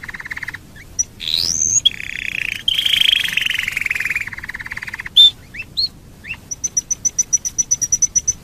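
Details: Domestic canary song used as a lure to make other canaries sing: buzzy sustained trills, a rising whistled sweep, then a long bright rattle and a closing series of rapid high pips repeated several times a second.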